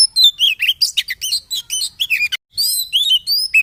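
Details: White-rumped shama lure song for caged birds: fast mix of slurred whistles and scratchy notes, a brief silence past two seconds, then clear rising whistles.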